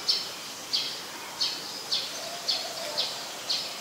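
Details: Streak-eared Bulbul, a very common resident of mixed deciduous forest, recorded at Ubon Ratchathani, Thailand, on 20 January 2021: short, sharp, high calls repeated about every half second against a soft background hiss.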